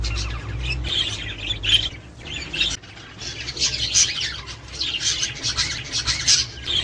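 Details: Budgerigars (Australian parakeets) chattering, played to encourage mating and breeding; scratchy high warbles with squeaks, a pause near three seconds, then a denser burst of gravelly twittering, with low hum early on.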